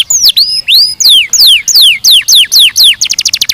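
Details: Canary with looping whistled notes, each sweeping down in pitch at a regular pace. The phrase closes with a quick burst of short rapid chips.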